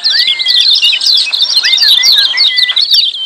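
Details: Loud, crowded ciak calling from lemon-bellied white-eyes, a steady stream of high chirps mixed with arching whistled notes and a long even tone.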